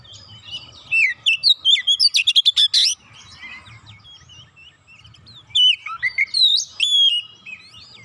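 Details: Oriental magpie-robin (kacer), agitated after a single provocation, pouring out its isian repertoire: two bursts of varied high whistled and chirping phrases, the first with a rapid stuttering series of sharp notes, then a pause and a second sweeping, slurred run.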